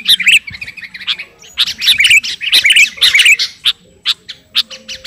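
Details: Sooty-headed bulbul calling to a rival: bursts of sharp chirps and twittered notes come in clusters, roughly two per second, with brief pauses between the louder runs.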